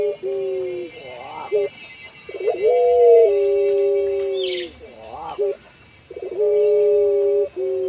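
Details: Puter pelung collared dove, a kept songbird with a melodious, long and flowing voice, nodding as it sings: wavering rising notes and long steady drawn-out coos, about sixteen phrases a minute, with a brief high chirp once.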